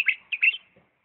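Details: Diyala bulbul in a refined song style: a short burst of bright, slurred whistled notes, a quick opening note, a pause, then a louder rolling pair, clean with no other sounds.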